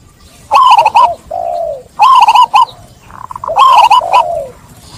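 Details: Zebra dove cooing played to coax stressed, trapped doves back into song: three phrases, each a rapid stuttered trill of coos ending in a lower falling tone, roughly every one and a half seconds.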